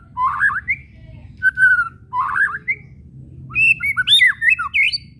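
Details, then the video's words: White-rumped shama whistles and chattering kretekan, played to make shamas sing: warbled phrases alternating with a steady held whistle, then a longer fast run of varied, swooping whistled notes. "SIULAN DAN KRETEKAN MURAI BATU BIKIN RIBUT"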